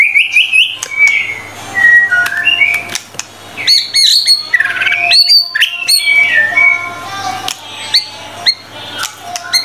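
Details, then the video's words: White-rumped shama in energetic song as tutor material: a rapid stream of varied phrases, with rising whistles, chattering notes, sharp clicks and high twittering, continuing almost without pause over a faint low hum. "MURAI BATU GACOR FULL 25 MATERI MASTERAN MEWAH"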